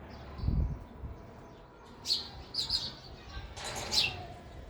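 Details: Sparrow eating at a feeder: short high chirps in two loose bursts midway and near the end, after a dull low thump early on, over a faint background hum.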